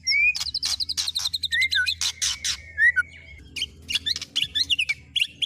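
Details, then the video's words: White-rumped shama song for teaching mimicry of other birds: fast mixed bursts of high chirps, clicks and slurred whistles with a few sustained whistled notes, steady low hum underneath. "Burung Murai Batu MU KURANG GACOR., BONGkar Isian speed cililin, kenari, love bird Dll..!"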